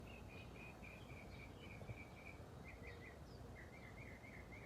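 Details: A small bird near a flowerbed sings quick, high chirping phrases in short repeated bursts, over a steady low outdoor rumble.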